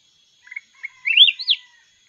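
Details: Red-whiskered bulbul from the mountains in a singing contest: soft introductory notes lead into one bright, rolling, warbled phrase that climbs and dips sweetly, over a faint constant high hum.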